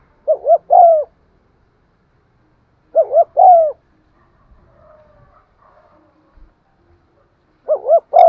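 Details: Spotted dove calling in its cooing, driving style, meant to provoke wild doves when played; three phrases, each two short soft notes and a longer coo, repeated roughly every three and a half seconds with quiet between.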